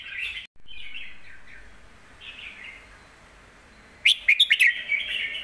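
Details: Red-whiskered bulbul, kept as a song bird, singing in a deep, full voice for teaching young birds; short warbled phrases with a quiet gap, then a loud burst of sharp clicks and a bright, buzzy trill at the end.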